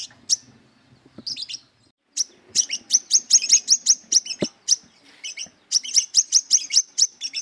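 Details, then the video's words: Brown-throated sunbird in aggressive, rival-seeking song: scattered high chirps, then a rapid, steady chatter of piercing notes at roughly two to three per second, with a faint low rumble underneath. "Burung Kolibri Kelapa Wiceh Gacor Beset Tarung Mencari Musuh"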